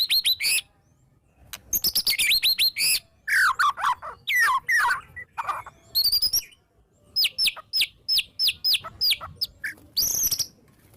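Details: White-rumped shama delivering agitated "ngeplong" song with "tembakan" bursts, intended as a lure: varied phrases of rapid buzzy trills, downslurred whistles and a run of clear rising whistled notes repeated about twice a second.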